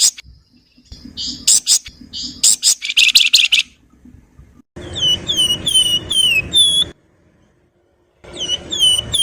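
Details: Flowerpecker song mixing nyerecet and nyiul: scratchy, fast chattering bursts first, then runs of clear, high, downslurred whistles repeated rapidly after a brief silence.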